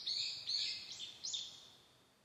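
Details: Narcissus flycatcher singing: three quick, bright whistled phrases in about 1.5 seconds, each a high slurred note dropping slightly, over a steady hiss of background noise.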